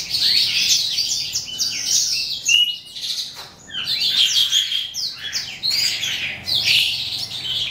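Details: Eastern calandra lark, psammochroa, singing as the day ends: lively phrases of sharp twitters and rattles, a pure whistled note near 2.5 seconds, a short pause, then more rapid chatter.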